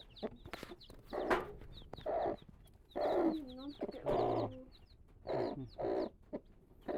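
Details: Newly hatched Mizo native chicken chicks, with high, thin downward peeps scattered throughout, mixed with lower, rounded clucks from an adult chicken coming in short bursts about once a second. The background is otherwise quiet.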